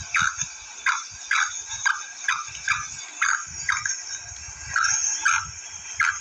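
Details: About a dozen clipped, rasping chirps from a female black francolin, spaced roughly half a second apart, over a steady shrill background hiss with low knocks.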